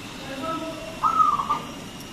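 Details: Local zebra dove with a big, frequent voice, recorded as a lure to stimulate other doves to sing: faint low cooing, then one brief clear phrase of quick stuttering coos near the middle, over a steady background hiss.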